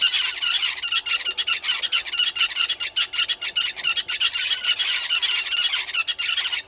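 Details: Several red-billed hornbills calling below a waterhole camera at Gowrie dam, Djuma, Sabi Sand, South Africa, shortly after six in the morning, 20 March 2022; an unbroken run of rapid, squawking clucks, about two per second, slightly uneven.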